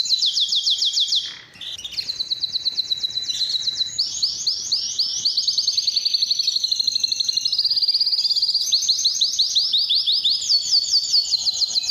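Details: Belgian canary singing to attract mates, a lure for training birds: a long sequence of bright trilled tours, each of repeated slurred notes, shifting pitch and speed, with one brief dip near the start.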